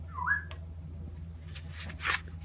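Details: A male Moluccan cockatoo about seven years old, recorded in 2016, gives one brief, whistled, rising and falling note, then short rough, breathy bursts, while a person coaxes it to say hello.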